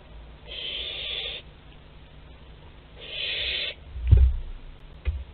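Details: Two breathy, rasping screeches about two seconds apart from a young barn owl at its parents' food store in Théding, France, 10 July 2021, then thudding and scraping noises.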